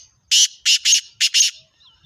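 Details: Female black francolin, kala teetar, giving a harsh grating call: five loud rasping bursts grouped as one, then a pair, then two more, clean and close with little background.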